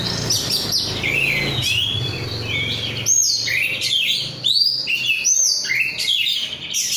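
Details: An oriental magpie-robin, 'rudal Korea' kacer, sings busily: high slurred whistles and looping notes tumbling up and down, first over a low hum, then clearer in lively repeated bursts.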